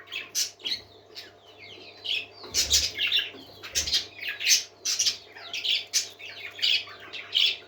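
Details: Happy parakeets singing in a group: sharp chirps and short warbling phrases come in quick clusters with a few brief pauses, plus soft thumps and a steady background hum.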